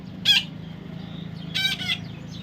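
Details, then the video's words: Harsh, grating squawks from a baby parrot: one near the start, then two more close together a second later, over a faint background hum. "natural funny parrot sound"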